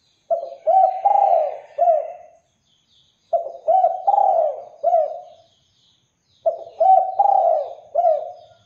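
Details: Persistent spotted dove cooing intended to make other doves respond: three matching phrases of four soft coos each, repeated about every three seconds, the third coo drawn out and falling.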